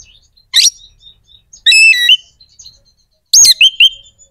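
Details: White-rumped shama, a kept songbird, singing to stir other shamas' aggression and breeding drive: three separate loud phrases of sharp high whistled notes with harmonic stacks and quick down-slurs, spaced by short pauses.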